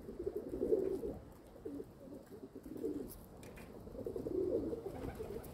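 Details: Domestic pigeons kept at home give two clear bursts of deep, throaty cooing, one early and one late, with quieter wavering coos between them and a faint tap in the middle.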